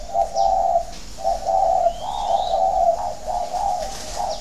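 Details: Spotted dove calling, a steady run of low, hollow coos in smooth connected phrases, with faint high chirps from other birds in the background.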